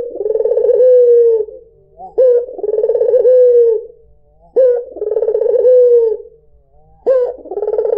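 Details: Low, vibrating coos of a white dove (puter putih) used as a lure: four rolling calls, each introduced by a sharp rising note, repeated at an even pace with brief silences between.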